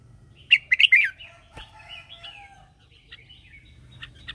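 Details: Red-whiskered bulbul used as a lure bird, singing in the morning to train other birds and call wild ones. A loud burst of quick whistled, warbling notes, then softer scattered chirps.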